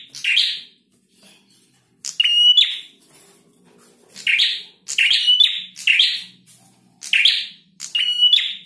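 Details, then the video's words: Singing male prinia repeats a pattern of harsh buzzy chirps followed by a flat ringing whistled note, phrases arriving roughly every second or so over faint low background hum. "Prenjak Jantan Gacor"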